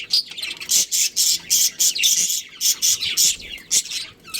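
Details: Budgerigars, a breeding pair in a colony, chirp in a steady string of harsh, high, buzzy notes, several per second, with slight pitch sweeps between them.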